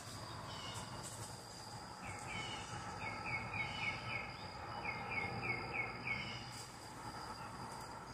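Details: Mockingbird singing in the morning from a balcony: a series of short, rising, slurred whistled notes repeated in quick runs of two to five, set against steady background hum and faint insect-like noise.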